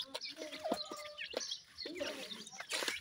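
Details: Grey francolin chicks feeding give short high chirps, some rising, scattered between sharp ticks and clicks, with a steadier lower tone near the start and a noisy burst at the end.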